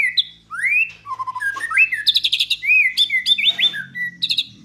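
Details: White-rumped shama (murai batu) singing its tembakan and isian: loud, varied song of rising whistled slurs and low clear notes, broken by bursts of fast, buzzy high trills, with a quiet low hum underneath.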